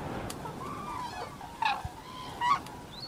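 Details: Cranes (koonj) moving about in farm fields give a few brief, rolling trumpeting calls with nasal, honk-like tones over steady background noise.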